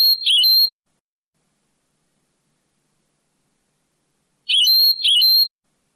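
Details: Old cassette of European goldfinch song in the Moroccan Sebtaoui manner, cleaned: short double phrases mixing a buzzy trill with a steady high whistle, repeated roughly every four and a half seconds.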